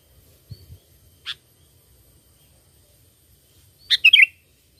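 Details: Sooty-headed bulbul used to lure birds for catching: a lone clear note, then a quick liquid phrase of slurred whistled notes, with soft low thumps at the start.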